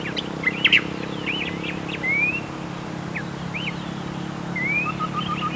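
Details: Tektekreyod bird calling: sharp high chirps, then several thin whistled notes sliding upward, short curled notes and a soft rapid trill near the end, over a steady low background hum.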